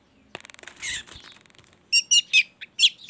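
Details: Baham long-tailed shrike singing as a lure to prompt other shrikes. A soft rustling flutter comes first, then a run of sharp, squeaky chattering notes.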